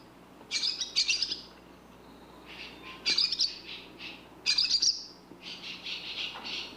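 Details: A barn swallow chirps in three louder bursts of high, rattling twitter about one and a half seconds apart, separated by softer buzzy notes, with a low background hum.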